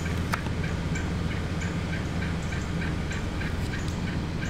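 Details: A flock of many wild turkeys gathered in one spot, with a male strutting, makes short, repeated clucks and yelps from several birds at once, over a steady low rumble.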